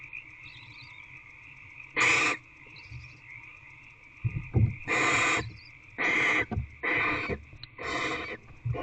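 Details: Barn owl in nest box C, filmed at 11:32 pm on 2/6/24 while bringing prey, possibly a bird, to a nest with eggs: five harsh broadband hissing screeches of about half a second each, irregularly spaced, over a steady electronic hum.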